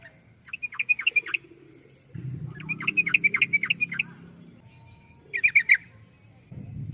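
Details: Sooty-headed bulbul giving quick runs of sharp, bubbly chirps in two longer phrases and a brief final burst, with a low humming background between phrases.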